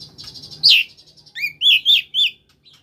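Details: Oriental magpie-robin, koslet type, singing to prompt lazy magpie-robins: a soft buzzing trill, then one loud falling whistle and four clear rising-falling notes in quick succession.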